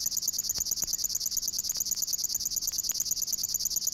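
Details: A River Warbler in the water-meadows and coastal pastures of Matsalu, recorded in a 1979 field recording, sings a dry, rhythmic, insect-like 'zre-zre-zre' buzz pulsing several times a second without pause, with faint clicks behind.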